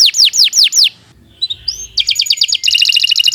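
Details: Canary recorded as a training tutor for other birds, opening with four loud descending swept whistles, a brief pause with soft notes, then dense high metallic trills rolling at a quick even pace.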